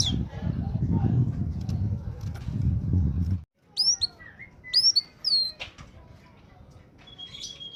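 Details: Oriental magpie-robin in peak song, played to lure untrained birds: loud low rumbling noise for the first three seconds, then clear high whistled upslurs and curling notes, ending with a thin steady whistle.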